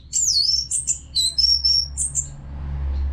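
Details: Orange-headed thrush, caged, singing without pause for training other birds: fast, very high ringing whistles and trills crowded together, ending in quiet after about two and a half seconds.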